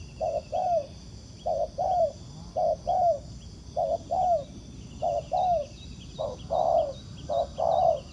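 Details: Wild spotted dove answering a decoy on the ground while being trapped. Paired low coos, short then long and falling, repeat roughly every 1.3 seconds, growing louder toward the end.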